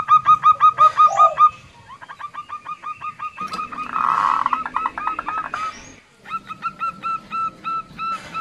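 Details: Female zebra dove of a local strain, kept as a lure for reluctant or wild males, giving rapid series of short hooked notes about three per second, with one fuzzy, rougher stretch midway and a brief break before resuming.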